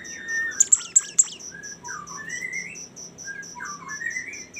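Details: Bimoli song begins with four sharp, high downward-swept notes, followed by soft warbled slurs rising and falling at mid pitch, while a rapid, even, high pulsing like a cricket continues behind it.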